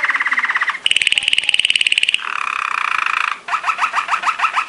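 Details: Training song of a Belgian Waterslager, or Malinois, song canary: a string of distinct rolling tours, a mid trill, a higher bubbling roll, a lower liquid passage, then quick dripping notes like water falling into a barrel.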